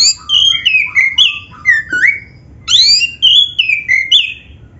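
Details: Black-breasted oriental magpie-robin delivering strong, continuous song with mimicry, meant to trigger other magpie-robins to sing: two bursts of bright whistled phrases, each stepping down through slurred notes, split by a short pause.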